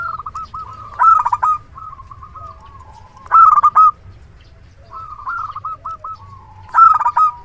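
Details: A frequently singing local zebra dove with a big voice, used as a decoy for trapping, repeats a loud rolled cooing phrase three times, about every two and a half seconds, with softer rippling coos between.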